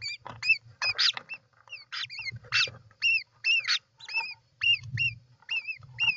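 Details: Nest of a European roller, 29 June 2024: repeated hoarse rasps and clear, arched, whistled notes follow one another in quick succession, roughly two per second, with soft low rumbling.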